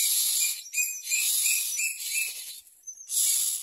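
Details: Nestling common mynas beg at the nest as their mother feeds them, pecking at her; a rapid run of scratchy, hissing rasps with short gaps, mixed with brief high whistles near the end.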